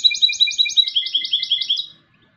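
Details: Song of a European goldfinch hybrid: a quick series of sharp, high, tinkling chirps, roughly eight per second, that fades out after two seconds into silence.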